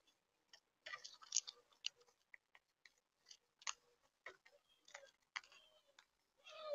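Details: Monk (Quaker) parakeets in St. Petersburg, Florida give quiet, harsh, scratchy chattering notes in uneven bursts, some clustered and some spaced a second or more apart; no other clear sounds.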